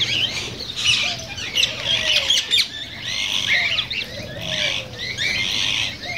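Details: Cockatiel calls used to encourage breeding: crowded, continuous high chirping and squawky whistled notes from several birds, with slow gliding lower tones drifting underneath throughout.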